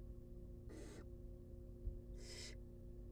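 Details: Two rasping hisses, a little over a second apart, from wild barn owl nestlings being fed in a nest box, with a faint thump and low hum.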